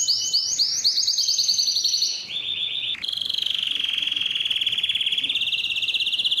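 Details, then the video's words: Male canary song used to stimulate other males to sing: fast repeated whistled syllables give way to a low rapid trill, then a long, dense rolling trill that rises slightly toward the end. "مجموعة صوت الكناري لتحفيز الذكر على التغريد"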